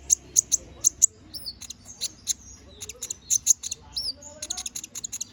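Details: Vigorous 'gacor ngobra' canary song, used to train magpie robins: bright, very high staccato chips in quick runs, interspersed with short rising and falling whistled slurs, the phrases tumbling continuously.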